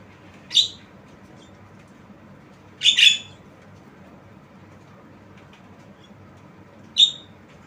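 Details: Tame Javan myna producing unusual calls: three short, harsh, scratchy squawks, the middle one doubled, spread over several seconds of near silence.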